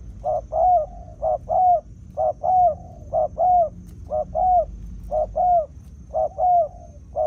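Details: Spotted dove working as a decoy to attract wild field birds: loud, regular two-part coos, short note then a longer curved one, repeated about every second for several phrases over quiet low hum.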